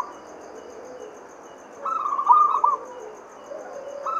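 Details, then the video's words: Local Javanese zebra dove lure song for stirring other doves into song: a single short, moderately loud rolling coo-trill in the middle, with soft lower cooing notes around it and quiet hiss. "PERKUTUT Lokal GACOR, 100% OBAT MALAS BUNYI kutut lokal biar gacor 2 detik langsung NYAUT Pancingan"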